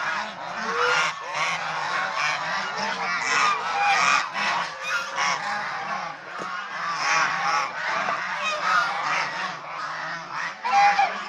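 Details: Domestic swan goose, seen bathing, resting, playing and fighting; long unbroken clamour of many nasal honks rising and falling in loudness.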